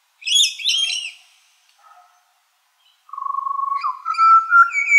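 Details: Morning song of a Pied butcherbird in Australia: a burst of bright chirping notes, a brief soft note, then a long steady fluted whistle that climbs into lively warbled phrases.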